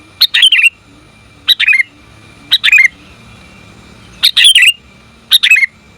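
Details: Female sooty-headed bulbul calling for the male: paired, bubbly chirp bursts repeated about once a second, each ending in a falling note, over a faint steady hum.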